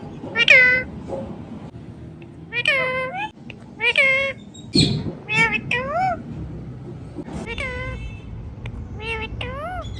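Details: Rose-ringed parakeet talking in short nasal, bending syllables, grouped in twos and threes with brief pauses, over a faint murmur and one soft thump.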